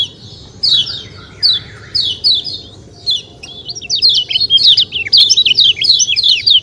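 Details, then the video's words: White-eye, called kecial kuning, giving high, sharp descending chirps in spaced bursts that run into a fast twittering chatter in the second half. A low, steady background hum is also audible. "ciak ciak jos kecial kuning suara alam"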